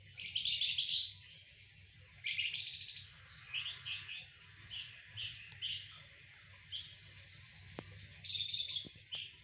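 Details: Golden-bellied gerygone singing energetically while set out in the sun with spotted doves and zebra doves: two loud rattling trills early on, then a string of short high chirps and a final trill, with faint clicks.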